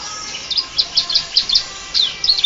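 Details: Canary singing in a style imitating the Bar-winged prinia, in a breeding setting: a rapid run of high, sharp chirps and short trills, notes coming several per second, with a short pause before the phrase resumes.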